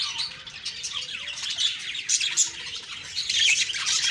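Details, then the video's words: Morning chirping from budgerigars on October 2, 2023: bright, high whistled notes and scratchy warbles overlap in a lively, continuous flock chatter that swells toward the end. "Beautiful morning birds chirping sounds/Budgie sounds"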